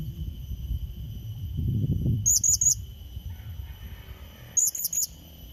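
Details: Blue-crowned hanging parrot challenge call for drawing in a rival: two bursts of three very high squeaky chirps a couple of seconds apart, with rustling low noise and a constant thin hum.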